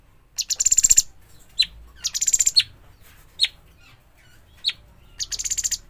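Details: Juvenile bulbul just out of the nest, calling with three bursts of fast rattling high notes spaced about two seconds apart, broken by sharp single chips.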